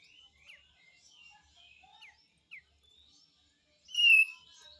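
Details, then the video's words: Besetan song of the kapas tembak white-eye, used as a tutor recording for cage birds: a series of short high slurred whistles and quick downward flicks, closing with a loud, bright, sweeping trill. "SUARA BESETAN KAPAS TEMBAK ‼️ GACOR ‼️"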